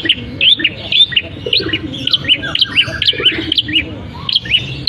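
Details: Caged long-tailed shrike in full song, copying canary, sparrow and kapas tembak phrases. Varied, rising and falling chirps tumble together in a busy, twittering run, with a few lower warbled notes beneath.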